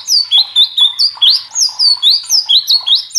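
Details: Agitated white-rumped shama in full song: repeated ringing whistles that swoop up, delivered a little over twice per second in an uneven rhythm, clean and close with no background sound.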